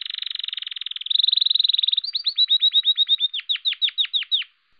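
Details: A male canary (Serinus canaria) sings its spring courtship song: a rapid high trill, a shift into a buzzier roll, then a run of clear down-slurred notes about four a second.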